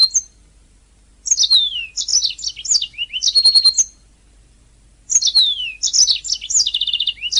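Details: Master recording of a canary for training songbirds: two bursts of lively song split by brief silences, each mixing downward-sweeping whistles, quick warbles and a fast rattling trill.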